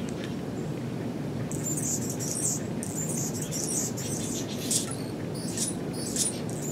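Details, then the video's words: Male Anna's hummingbird singing near a porch in the Pacific Northwest in 2017, lingering for hours: thin, very high scratchy squeaks and buzzy sputtering bursts repeated in quick clusters, over a steady broad rushing background noise. "Anna's Hummingbird song"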